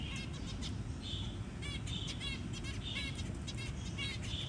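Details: Zebra finch parent feeding a newly hatched tiny chick; soft, rapid stacked chirps and short nasal notes repeated through the clip, with a steady low hum underneath.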